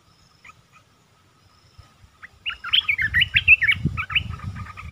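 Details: Red-eyed bulbul, 10 August 2021: a few faint chirps, then a burst of quick, bright, warbled notes and chirps over low rumbling and knocking background noise.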